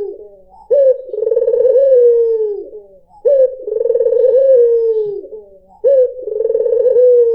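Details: Melodious cooing of a white Barbary dove meant to attract other birds: three rhythmic phrases, each an abrupt start, a vibrato roll and a lengthy sliding-down coo, evenly spaced.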